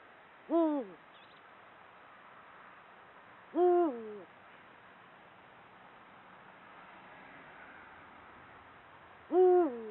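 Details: Eurasian eagle-owl male in breeding season hooting from perches, marking territory; deep booming hoots dipping slightly in pitch, three spaced over ten seconds, against faint background hiss.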